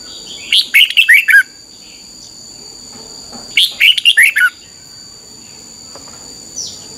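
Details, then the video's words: Red-whiskered bulbul morning song, used for training other birds: two bright warbled phrases of about six quick rising and falling notes, roughly three seconds apart, over a steady high electrical-like hum. "Luyện chào mào hót sáng 2021"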